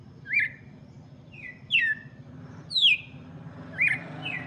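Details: Red-cowled cardinal song for chicks, bright falling whistled notes roughly once a second, some followed by a softer trailing note, over a steady low hum.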